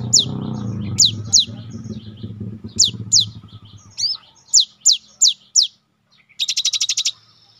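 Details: Training song of a cinereous tit for caged birds: ringing high whistled notes repeated in uneven runs, then a fast buzzy trill, with low rumbling noise at the start.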